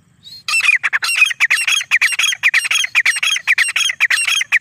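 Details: Desi teetar (francolin) calling loudly and close: a long run of harsh, grating, rhythmic notes delivered in quick bursts, about two per second, after a brief faint start.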